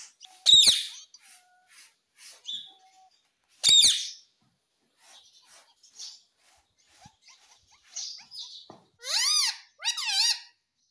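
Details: Talking green ringneck parrot: sharp loud squawks early, then quieter chirps, ending with a pair of rising-falling harmonic word-like calls.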